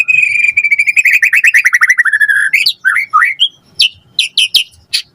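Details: White-rumped shama in full lively song as a lure for a response: a long rapid trill of repeated notes dropping slightly in pitch, followed by scattered rising whistles and sharp upslurred chips.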